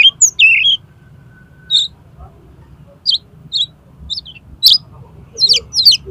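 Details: Kacer, the oriental magpie-robin, in konslet song meant to make another magpie-robin open its tail: widely spaced shrill chips and short twittered notes, ending in a cluster of harsh high calls, over a soft low hum.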